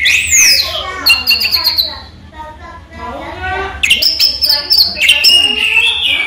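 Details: A caged orange-headed thrush known as raja teler sings during the day: an opening rising-falling whistle, rapid high chattering, a softer stretch, then loud clear whistled phrases again.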